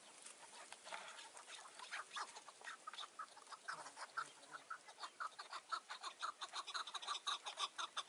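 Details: Chukar partridge calling on a mountain at evening dusk in June 2018 during trapping with a decoy; scratchy clucks start faint and irregular, then settle into a strong steady rhythm of about two notes per second.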